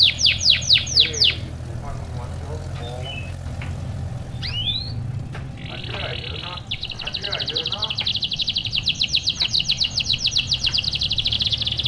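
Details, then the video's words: Canary song meant to coax lazy canaries: brief loud chirps, then a mixture of voices and other noises, and finally a long, steady, buzzy, rapid trill through the last five seconds. "gunakan kenari gacor ini untuk memancing kenari malas bunyi"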